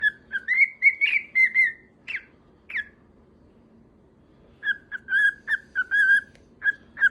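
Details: Pet cockatiel whistling affectionately toward its owner's wife: a string of clear, warbling notes around two kilohertz, pausing briefly midway.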